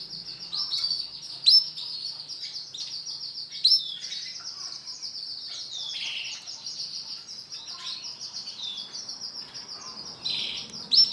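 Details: Yellow-and-black male canary in full song: an unbroken, very high buzzy trill held for many seconds, shifting in texture, with occasional sharp piercing notes, a faint low hum beneath.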